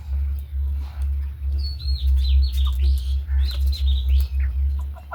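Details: Budgerigars kept with the owner's hens break into fast, chattering high chirps and short warbles after a quiet opening, set against a heavy low drone.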